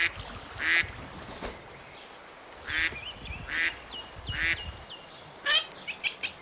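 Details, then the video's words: Ducks with ducklings on a lagoon: five loud, harsh quacks spaced irregularly over six seconds, with soft high peeping notes from ducklings between them. "Som de Pato - Patinhos na Lagoa - Duck Sound"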